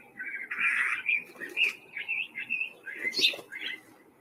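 A House Finch sings a squeaky, jumbled warble of quick notes that bounce up and down, with a shrill peak near the end, over faint background noise.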